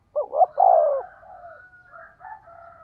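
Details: A single 'thúc gù' coo phrase from a decoy spotted dove with a 'thổ' voice: quick double note, then a long mellow coo fading into soft trailing murmurs.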